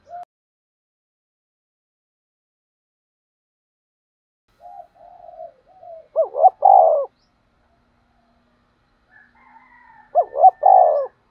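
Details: Spotted dove decoy call for trapping. After a long quiet stretch, soft coos build into a strong double coo near six seconds, and the same loud phrase repeats about four seconds later.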